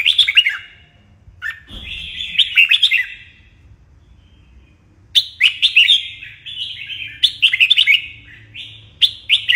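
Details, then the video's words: A red-whiskered bulbul sings during morning song training, giving rapid warbled whistles in clustered bursts, then a quiet gap of about two seconds before several more energetic phrases, with a faint low hum behind. "Luyện chào mào hót sáng"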